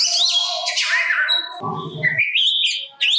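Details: Oriental magpie-robin sings to goad other magpie-robins into replying. Whistled and buzzy notes open the passage, a brief low rumbling noise follows, then rising clear whistles return.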